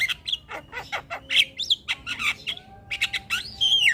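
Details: Javan myna in energetic song, with other birds said to join in: rapid mix of harsh chattering notes and sharp squeaky whistles, some sliding upward, with a few thin steady tones underneath.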